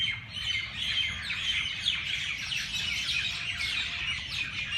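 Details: Birds at dawn in Lahore's Race Course Jilani Park: a loud, busy mass of bright chirps and quick downward tweets fills the whole stretch, with a brief faint steady tone midway.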